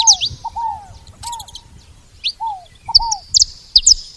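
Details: Saffron finch at a feeder: scattered bright, high chirps and short clusters of notes, alternating with quieter, lower falling notes. There are brief pauses between bursts.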